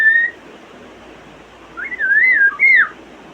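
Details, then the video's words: African grey parrot kept as a pet, said to make 23 sounds, gives a brief level whistle, pauses, then a wavering, warbling whistle that loops up and down before a final bright upswept note. "My Smart African Gray makes 23 sounds"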